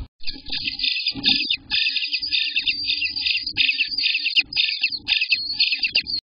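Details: A dense stream of high, hissing, buzzy chatter from Eastern bluebird nestlings eighteen days old, nest recorded June 24, 2021 between 6 am and 1 pm, broken by short pauses and soft clicks.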